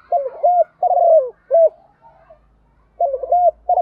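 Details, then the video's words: Morning calling of a spotted dove kept as a decoy to attract wild doves: mellow, hollow cooing notes run together in quick phrases, a short pause, then the phrase begins again; faint low background hum. "tiếng chim cu gáy mồi gáy gọi buổi sáng/ chim cu cườm gáy gọi, cu gáy chiêu bổi"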